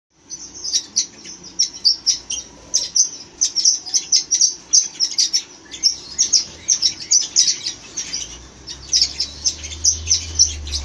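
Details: Red-rumped parrots chirping: a fast, steady stream of very high, thin chirps and tweets, several each second, with brief louder bursts and a faint low hum beneath.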